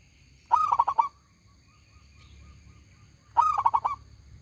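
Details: A local zebra dove in full song, its voice big and ringing. Two phrases of fast, stuttering coos, each starting with a stronger note, about three seconds apart, separated by near quiet.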